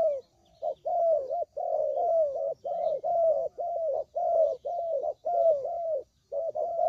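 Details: Spotted dove lure call for trapping: near-continuous low cooing, notes dipping and curving down, grouped in half-second to one-second bursts with short gaps, steady in loudness.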